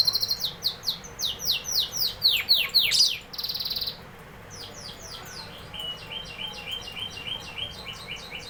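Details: Canary song of fast descending whistled notes repeated about four per second, a brief buzzy burst, then softer lower repeated chirps.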